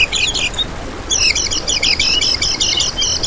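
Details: High, bright twittering song of a lemon-bellied white-eye, played as a trapping lure and tutor: a brief chatter, a gap, then an unbroken run of fast, buzzy repeated trill notes.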